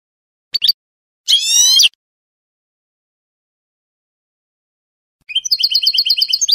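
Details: European goldfinch in Spanish salon song style, from a training recording. Two short isolated phrases, one a buzzy rising burst, are followed by a long silence, then quick repeated twittering notes.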